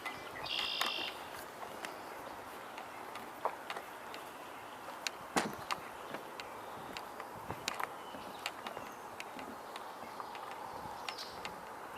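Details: A White-breasted Nuthatch, identified by ear outdoors as dusk falls, gives a brief nasal, buzzy call early on, with a faint note near the end, over sharp clicks and soft outdoor hiss.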